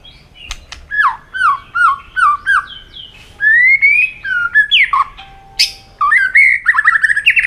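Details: White-rumped shama in heated competitive song with many voices: a long, varied sequence of loud whistled notes, hooks and slurs, some phrases repeated, ending in fast rising warbles.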